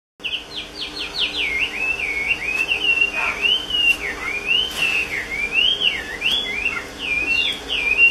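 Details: Chinese hwamei, a kept songbird, singing a long, varied run of loud clear whistles, looping up and down with quick slurred phrases and a few sharp accents, heard against a steady background hiss.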